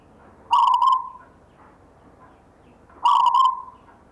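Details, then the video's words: Zebra dove, local wild-type perkutut inherited from a grandfather, in gayer rhythmic song: two matching coo phrases about two and a half seconds apart, each a quick double burst sliding into a held, fading note. "perkutut LOKAL alam GAYER tinggalan SIMBAH suara irama"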